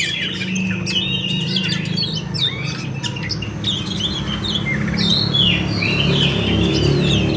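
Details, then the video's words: Oriental magpie-robin in fighting mode, singing a continuous rolling stream of short chirps, rising and falling whistles and harsh notes, about two to three notes a second. A heavy low hum runs throughout. "suara Kacer tarung ngerol"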